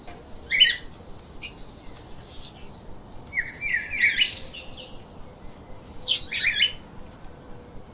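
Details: Several harsh chip bursts from pet lovebirds are separated by quiet gaps, with a rough buzzy chatter in the middle and steady faint hiss.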